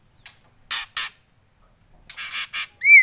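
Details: Harsh, raspy kretekan notes of a White-rumped shama, a pair then a rapid triplet, ending with a loud rising-and-falling whistled note.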